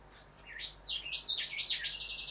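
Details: Male Rufous Whistler at a house window, drawn to his reflection, giving a loud run of varied whistled phrases that swoop down and up, joined without pause into a fluent, ringing warble.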